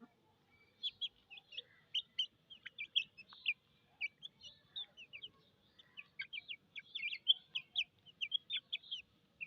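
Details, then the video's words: Several chicken chicks cheep from thirst, their shrill, falling peeps repeated rapidly and densely, growing busier toward the end against a quiet background. "MURGI chichs chirping sounds with thirst"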